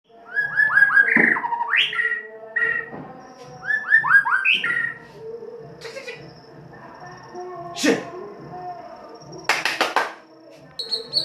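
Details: White-rumped shama song used as a lure to prompt other birds to sing, the harsh 'kasar' style: rich whistled phrases with rising slurs, mixed with sharp buzzy bursts and clicks, over a faint low hum.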